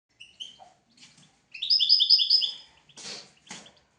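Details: European goldfinch song from a tutoring recording for goldfinches and canaries: scattered high chirps, then a bright rapid trilled phrase of repeated twittering notes, followed by two short harsh rasping bursts.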